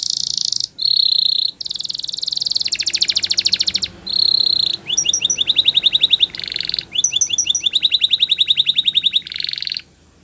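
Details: Canary song played for training: long buzzy rolls and whistled tones alternating with rapid repeated chirping runs, high-pitched and almost unbroken for ten seconds.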